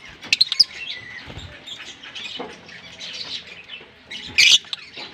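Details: A pair of green Fischer's lovebirds kissing and singing: rapid scratchy chatter with bursts of shrill squeaks at the start and a loud harsh squeal toward the end.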